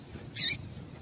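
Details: One sharp, high-pitched chirp from a female Double-collared seedeater, a call meant to stir males into song, lasting about a fifth of a second against a quiet hissing background.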